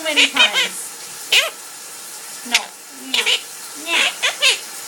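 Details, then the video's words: Parrot at home singing during its owner's shower, mixing short harmonic chirps with lower, speech-like sliding notes, in scattered bursts over faint running water. "The Singing Parrot"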